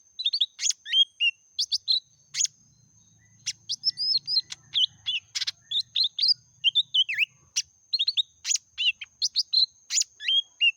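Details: Lesser green leafbird in continuous meratoh singing, pouring out sharp clicks, buzzy chips and looping whistled phrases that rise and fall, almost without pause for eleven seconds, with a faint steady high-pitched whine in the background.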